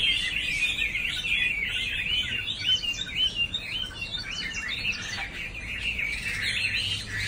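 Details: Male Chinese hwamei song: a long, lively sequence of quick whistled slurs and warbles, repeated almost twice a second in loose bursts.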